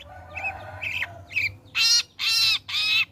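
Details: Long-tailed shrike singing steadily after its molt, used as a lure to get other shrikes singing: a few soft chirps, then three loud, harsh, broad rasping notes about half a second apart.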